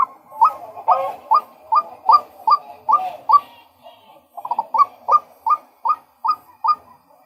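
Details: A male White-breasted Waterhen repeats sharp, upward-flicking notes at a quick, even pace. It pauses briefly midway, then resumes with a ragged cluster before settling back into the rhythm.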